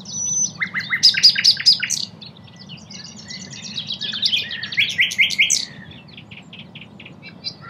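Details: Common nightingale singing at Cattenom, France, in May 2016, nominate subspecies: rapid repeated staccato notes, a pause, then a second run of bright rapid chirps and trills, with a constant low hum behind.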